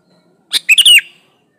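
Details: Sooty-headed bulbul song used to coax other bulbuls into singing, recorded plain without inserted songs: a lone lively phrase of four quick liquid notes, the final one drawn out and dropping in pitch.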